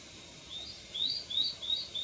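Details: Fledged juvenile Japanese sparrowhawk calling: a short series of faint, high, thin notes, each slightly rising, spaced irregularly after a quiet start, over soft steady background hiss.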